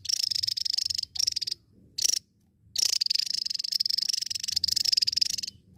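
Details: Long stretches of rapid, pulsed high buzzing from a Javan tesia, broken by brief pauses and single sharp notes, over a soft low background.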